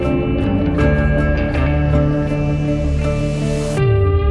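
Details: Steady plucked guitar music with sustained ambient tones plays throughout, with no animal voice heard.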